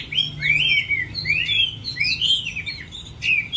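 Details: Contest song of a Chinese hwamei in moulting season: bright, fluid whistled phrases with swooping upslurs and downslurs, run together quickly and almost without a break.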